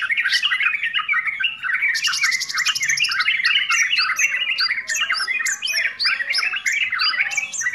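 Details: Sooty-headed bulbul in a noisy bout of song, a recording meant for beginners and as a tutor for training birds: dense, overlapping chattering and whistled phrases, with a sustained buzzy trill near the two-second mark and sharp chips throughout.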